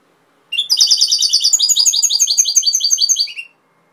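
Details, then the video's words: Singing European goldfinch, Cobia, Málaga: one continuous three-second phrase of quick, repeated tinkling notes and buzzy twitters, high and bright, ending abruptly, clean background. "Jilguero cantando Cobia Málaga"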